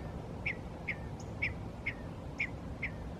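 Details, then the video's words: Rattlesnake Springs, New Mexico, May 6, 2016: a male painted bunting gives a regular series of sharp, clipped chip notes, roughly two per second, evenly spaced across the clip, with low steady background hiss. "Male Painted Bunting (Passerina ciris) Singing Calling"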